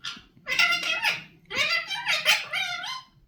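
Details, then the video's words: Talking Indian ringneck parakeet producing two rapid phrases of shrill, voice-like syllables with rising and falling tones, each lasting about a second, over faint low background hum. "Talking indian ringneck parrot"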